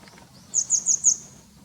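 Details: Grey wagtail heard calling near a home in late April 2020: four sharp, very high, thin notes in quick even succession over about half a second, with quiet surroundings.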